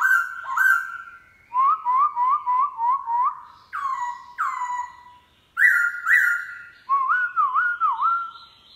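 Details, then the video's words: Morning song of a caged black-throated laughingthrush in wild-style voice: a long held whistle, a fast series of short looping whistled notes, then bright sustained tones and wavering phrases. "Khướu mun bổi hót giọng rừng cực phê . vào buổi sáng"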